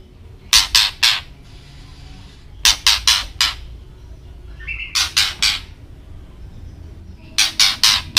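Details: Harsh ketrekan rattle from a white-rumped shama, intended to make other birds agitated: four clusters of three or four loud, rasping, broadband bursts, spaced roughly two seconds apart.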